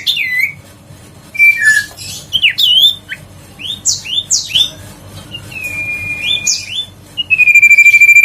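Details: Huyt co bird, a stimulating song for birds reluctant to sing: scattered sharp upslurred and downslurred whistles with pauses, ending in a long steady pulsed whistle.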